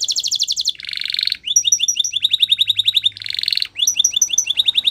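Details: Canary performing Spanish Timbrado training song: buzzy trills alternating with rows of rapid chirped notes that sweep down, phrases changing every second or so, loud and continuous.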